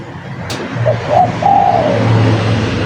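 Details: Spotted dove song used as a lure: a brief soft coo, then a rolling note and a long level coo, set against a steady low rumble with a sharp click at the start.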